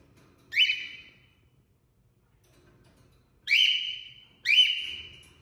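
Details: A male cockatiel gives three loud, shrill whistled calls, each with a sharp rising start and a slowly falling tail.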